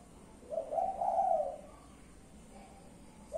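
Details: Spotted dove kept as a pet bird, giving a single low, soft, rolling coo lasting about one second, slightly rising then falling, followed by quiet with only a faint start of another coo at the end.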